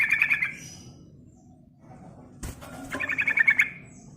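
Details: Yellow-vented bulbul singing actively, a recording meant to lure and excite other birds: a brief rattling chatter, then a sharp knock, followed by another fast pulsed burst of notes against a soft low hum.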